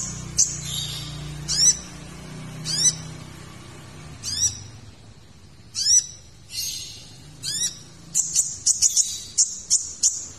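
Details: Van Hasselt's sunbird (kolibri ninja) song, recorded as a tutor recording for training magpie-robins and other birds, full of varied notes: sharp very high downslurred chips and buzzy bursts, spaced every second or so, quickening near the end.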